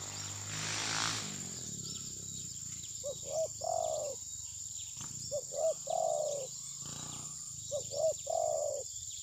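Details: Decoy spotted dove during a dove-trapping session, reluctant to fight its opponent, maybe molting, captured by phone: three repeated coo phrases about every two and a half seconds, two clipped notes then a rich long coo, insects in the background.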